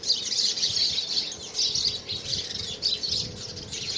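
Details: House sparrows battling over a nest box, early February 2017: thick, high chirping from several birds, a loud opening flurry, brief dip, then renewed chatter.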